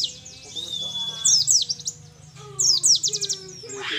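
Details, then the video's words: A young wild-caught mountain white-eye from Mount Ciremai, Majalengka, West Java, sings thin, high twittering bursts with quick rising and falling notes, in two bouts about a second long, over faint low humming. "PLECI DAKUN CIREMAI || MASIH BERENGAN MUDA HUTAN"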